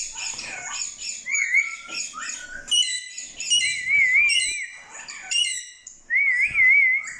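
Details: Parrots talking and whistling: chattering squeaky syllables mixed with warbling whistled notes that waver up and down, repeated in uneven bursts.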